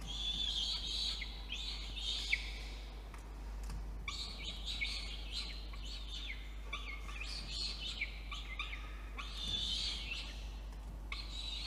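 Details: Wild peregrine falcon chick in a nest box atop a water tower in Orange, NSW, Australia, begging while an adult delivers dinner at 8:56 PM on 5 November 2021; rasping, wailing screams repeated in rapid bursts, over low steady hum.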